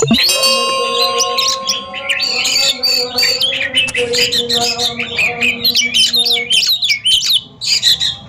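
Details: Oriental magpie-robins in a song competition duel: dense, overlapping bursts of varied whistles and chirps, mostly high, with steady low humming tones underneath throughout.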